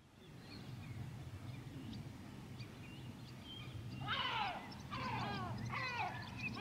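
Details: White-tailed eagle at Grönvik, Ornö, 16 July 2024: quiet low rumble at first, then from four seconds a loud series of harsh, downslurred yelping notes in three quick bursts.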